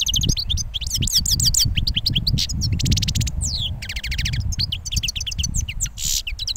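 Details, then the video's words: Goldfinch from the previous year, just finished moulting, pouring out a dense twittering song of sharp chirps, rising sweeps and buzzy trills against constant low rumbling noise. "JILGUERO RECIÉN MUDADO"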